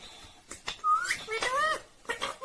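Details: Talking Indian ringneck parrot indoors, giving a rising whistled word, then a longer phrase of sliding tonal syllables, and a final short utterance after a brief pause.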